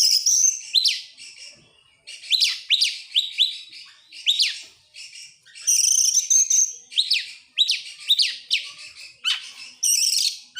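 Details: An excited Oriental magpie-robin opening its tail sings energetically for ten seconds: rapid runs of rising whistled upslurs, interspersed with dense high rattles and buzzy trills, with hardly any pause.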